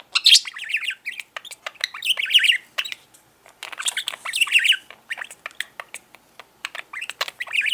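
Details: Indoor male budgerigar that talks incessantly: clipped, scratchy speech-like phrases mixed with squawky chirps, delivered in irregular bursts with short gaps.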